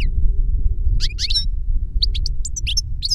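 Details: Caged European goldfinches, master and young pupil taught by CD recording; short clusters of sharp twittering notes in two bursts, against a loud low hum.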